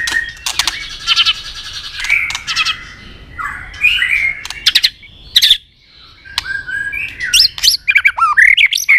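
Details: White-rumped shama in fast fighting song to stir up a rival: varied loud whistles, sharp clicks and buzzy phrases, then a closing flourish of bright, rising and falling whistled notes.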